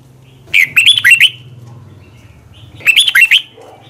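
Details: Red-whiskered bulbul in long double twisted-voice morning song for bird training; two rapid phrases of sweet, looping whistles about two seconds apart over a steady low hum.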